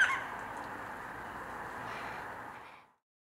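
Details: Flock of roughly fifty yellow-tailed black cockatoos feeding on walnuts in a Northern Tasmanian walnut grove, Australia, mid winter, recorded on a Canon 5D Mark IV; one long sustained wailing call, strongest at the start, holds steady and fades out after three seconds.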